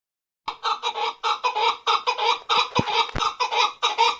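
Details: Male chukar partridge kept as a hunting bird, calling in rapid, slightly uneven chuk notes about four per second that start after a brief silence and run steadily to the end.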